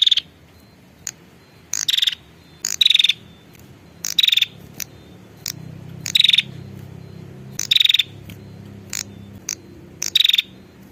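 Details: Female prinia calling to a male, used as a lure: short high buzzy bursts with a clear descending whistled edge, repeated every one to two seconds over about ten seconds. Brief clicks between them, faint low rumble behind.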